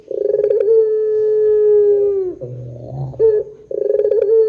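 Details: Barbary dove, long-drawn pelung coo for luring other doves: a trilled start flowing into a steady hollow note for two seconds, a brief rough rumble, then fresh rolling trills.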